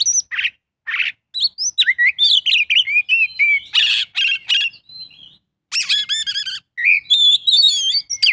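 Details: Kacer full isian song: a few short chips open, then varied whistles, raspy chattering phrases and high tinkling notes, with brief silences between passages.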